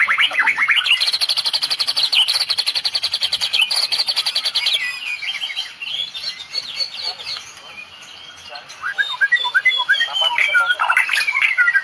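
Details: Medan white-rumped shama in full Cililin 'tembakan' song; opens with a long rapid buzzy rattle of many fast repeated high notes, then quieter chattering and a loud sequence of rising whistled slurs.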